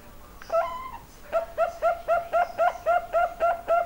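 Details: Young zebra dove with a big voice calling: after a drawn-out opening note, a run of short, clear, hollow notes repeated about four per second, each slightly rising, steady and even.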